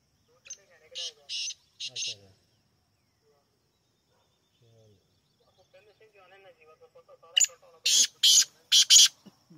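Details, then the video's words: Black francolin calling twice: harsh buzzy bursts at the start, a quiet gap with soft murmuring voices, then a louder rhythmic series of four grating notes. "Black francolin voice 💔 kala teetar awaz 👈 partridge sound . black teetar"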